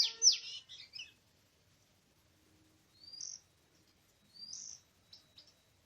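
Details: Oriental magpie-robin in a forest on 24 March 2017, recorded while birds were being trapped. A loud burst of chirps opens the recording. Two separate rising whistles and a few soft ticks follow after long pauses.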